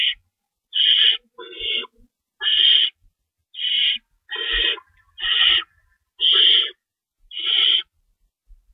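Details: Owls in a nest during night feeding time, March 25, 2012, 3:53 AM, with two rabbits stored and an adult staying in to tear food; nine raspy screeches at uneven intervals, some paired closely, others separated by pauses.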